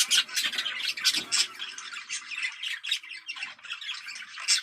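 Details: Budgerigar chatter played to stimulate breeding: rapid, scratchy warbling and squawky chirps in quick bursts, several birds overlapping, with brief clicks and a short low tone near the middle.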